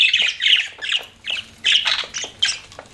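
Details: Pet budgerigars give short, separate squawky chirps, bursts of harsh chatter spaced by brief pauses, about two or three bursts each second.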